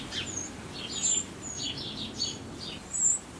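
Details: Eurasian wren chicks at the nest just before fledging, fed by the parents: a handful of high, thin squeals mixed with scratchy descending chirps over a few seconds.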